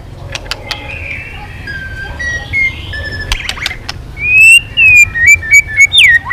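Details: Singing White-rumped shama flicking its tail, switching voices in the drawn-out 'kéo dây yến' style: soft quiet whistles at first, then a loud series of long, clear rising and falling whistled notes.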